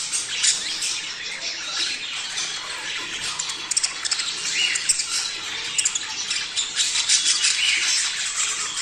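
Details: Budgerigar chatter to motivate breeding: a thick, high twittering bed with sharp clicks and brief whistled notes scattered throughout.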